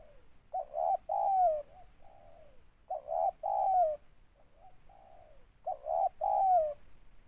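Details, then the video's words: Spotted dove (tekukur) cooing loudly in three repeated phrases, each opening with faint low notes and closing with two strong mellow coos, the second sliding downward; background otherwise quiet. "Tekukur suara besar ngeruk ada tindannya"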